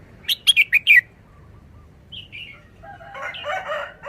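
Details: Red-whiskered bulbul in a cage sings a short forest-style phrase: four bright, staccato whistled notes close together, then two soft slurred notes. A rooster's crow fills the last seconds.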